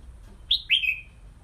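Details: Red-whiskered bulbul kept in a small bamboo training cage hung high; one brief two-note whistled phrase, a sharp high note then a longer note sliding down and trailing off, over faint low rumble.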